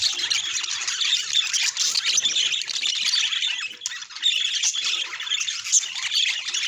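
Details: Pet budgerigars chattering together; a dense, continuous mix of high warbles, chirps and squeaky twitters without pause, busy and overlapping throughout.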